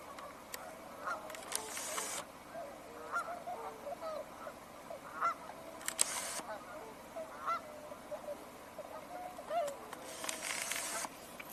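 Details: On January 31, 2026, a distant flock of Tundra Swans gives scattered soft, hooting whoops and honks, less vocal than a few weeks earlier, with bursts of wind or handling noise over a steady background.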